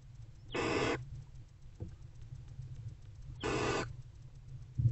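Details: Barn owls, a mother and older owlet, bonding in a nest box at about 4:45 am on 20 February 2024; two drawn-out raspy hisses roughly three seconds apart, with a soft tap between them and a low hum behind.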